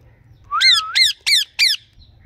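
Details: Indian ringneck parakeet, green and blue ringneck birds: four loud, harsh screeching squawks in quick succession, the first drawn out and rising, then three short bursts about a third of a second apart, over a faint low hum.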